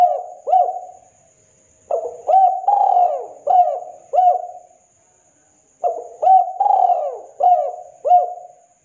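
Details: Actively calling local spotted dove: two complete phrases of low mellow coos, each with a stuttering start, a long swelling croon and two or three short descending coos, with a few seconds between phrases.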